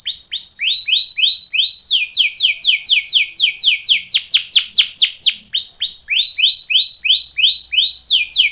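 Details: Canary training song in distinct tours: a run of slurred falling notes, then a higher rapid series, then deep swooping strokes, then a return to the lower phrase, every note bright and clearly separated.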